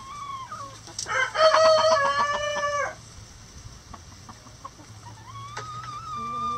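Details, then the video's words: Loud cock-a-doodle-doo from a rooster kept with hens in a coop: a rich, strongly harmonic crow of about one and a half seconds, followed by softer clucks and a rising call. "Chicken Sounds | Rooster Crowing"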